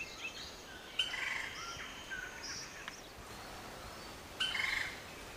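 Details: Lineated woodpecker (Dryocopus lineatus) call: loud, harsh, ringing notes, with a drawn-out burst near the start and a quick stuttering series near the end, over soft background hiss.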